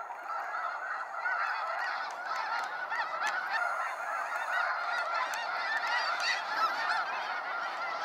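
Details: Snow geese in waves on a sunset fly-out at Sacramento National Wildlife Refuge: a dense, steady roar of overlapping nasal honks and yelps from a huge flock, with no pauses across the whole stretch.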